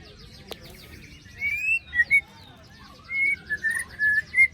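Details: White-rumped shama, recorded after moulting as a lure for silent birds: a run of clear whistled notes that rise and fall, broken by short pauses, with a faint click near the start.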